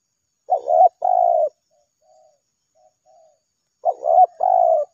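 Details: Spotted dove calling steadily in response to a lure; two loud coo phrases of a brief double note and a long warbling coo, with very faint soft coos from a distant dove in the gap.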